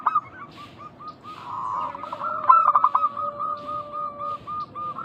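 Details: Local zebra doves in vigorous voice, used as a lure to draw other doves to call back. Short bursts of rapid stuttering coos, then a long series of soft, evenly spaced mid-pitched coo notes, with a second lower dove droning beneath.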